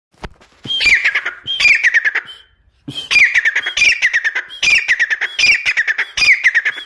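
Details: Grey francolin, locally called teetar, giving loud harsh repeated phrases, each a rising note followed by a rapid rattling, descending series, about six phrases after an opening burst and a short pause.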